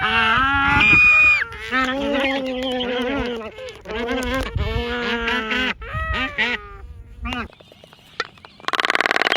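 Black-footed albatross giving drawn-out, wavering groans and nasal moans, several overlapping, ending in a burst of harsh rattling clacks.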